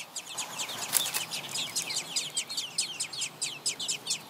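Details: Baby robins begging in the nest as mother and father bring food: dense overlapping high-pitched squeaky cheeps, several per second, rising and falling in loudness as the nestlings clamor.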